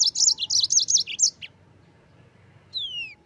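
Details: Yellow-fronted canary singing in the energetic rolling 'gacor ngerol' style used as a tutor song for training white-eyes: a fast run of high, sharp twittering notes for over a second, a pause, then one clear whistle sliding steeply downward.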